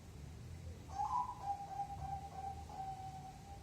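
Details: Zebra dove coo in 5, 6 or 7 beats; after a quiet second, a rolled higher note then a chain of even, mellow coos ending in a longer drawn note, over low rumbling noise.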